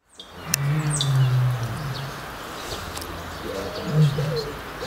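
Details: North African ostrich, a threatened subspecies kept in a European zoo breeding program; deep low booming hums, one long drawn boom then a shorter one, with faint higher chirps of small birds in the background.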